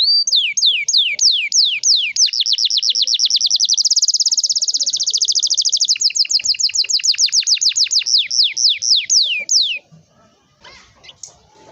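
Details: Canary in long rolling song, played so young canaries learn to sing: slow high sweeping notes speed into a dense fast trill, then slow again into sweeping notes, about ten seconds, followed by quiet clicks.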